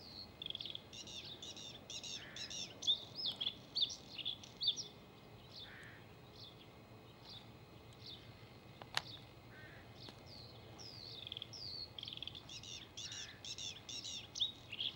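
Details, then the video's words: Male Bluethroat song in bursts of quick, varied chirps and ringing whistles, a busy phrase, a pause of a few seconds with a couple of low notes, then a fresh burst; one sharp click midway and faint background hiss. "ВАРАКУШКА( Luscinia svecica - шведский соловей) НА ВОКАЛЬНОЙ ПРОБЕ"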